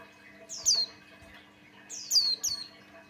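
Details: Lure song from a male Buxtoni white-eye (opior jawa) in full voice, meant to make other white-eyes sing. Two bright, thin downslurred whistles, the second doubled, stand out over a faint constant hum.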